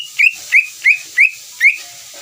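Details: Greater green leafbird song as a lure for another leafbird: five short, upslurred whistled notes spaced about a third of a second apart, over a steady hiss.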